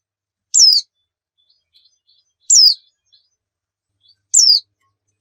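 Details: Single high, sharply downslurred notes from a Javan white-eye, repeated roughly every two seconds in silence, played as a lure to get kept birds singing.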